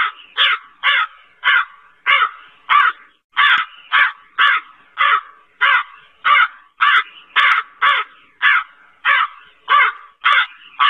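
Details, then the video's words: A black crow calls over and over, about eighteen coarse, nasal caws delivered at a regular pace of roughly one every 0.6 seconds, nothing else audible. "SUARA BURUNG GAGAK HITAM"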